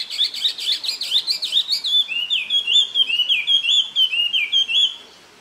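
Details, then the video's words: Taiwan hwamei, Jianshi Township, Hsinchu, Taiwan, April 2024: rapid zigzagging whistles at first, then a run of rich looping whistled phrases repeated about ten times before fading out. "台灣畫眉 Taiwan Hwamei"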